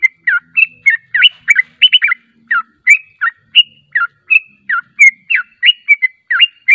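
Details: Lure recording of yellow-vented bulbul meant to draw a reply: a busy run of short, clear chirps and falling slurred notes at a brisk, irregular pace, a faint low murmur underneath.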